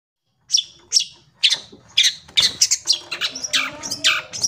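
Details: Long-tailed shrike song with clear, varied phrases, offered as a lure and as a master recording for training young shrikes: harsh, scratchy chirps, spaced at first, then quickening into a dense run of short bright notes.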